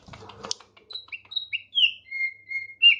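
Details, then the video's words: Thick-billed heleia, tame and singing freely: after a few rustling clicks, clear varied whistled notes, some high and thin, some lower and sliding downward, spaced with short gaps. "Opior Paruh Tebal, Jinak Gacor"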